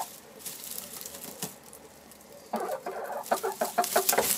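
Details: Chickens in a henhouse clucking: a quiet stretch, then a run of quick, harsh, repeated clucks that grow louder toward the end.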